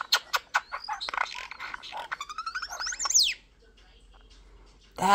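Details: Pet European Starling singing at home: quick series of sharp clicks, buzzy chatter and a steep rising whistle, then near silence and a loud broad squawk at the end.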